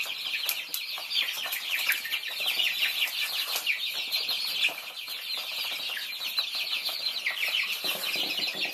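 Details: Flock of Thai baby chickens at feeding time, giving a constant chorus of shrill, downslurred peeps that overlap thickly, with faint scratching and pecking clicks underneath.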